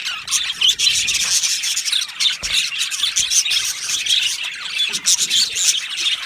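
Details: Aviary colony of Australian budgerigar parakeets chattering constantly, overlapping warbled chirps, short squawks and scratchy trills from numerous birds in a steady, lively wash of sound.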